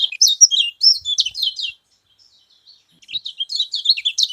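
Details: Kecial kuning, the Scaly-crowned honeyeater, in a call said to provoke rival birds; rapid high chirping notes in a busy phrase lasting over a second, a silent gap, then another quick sequence of sharp twitters.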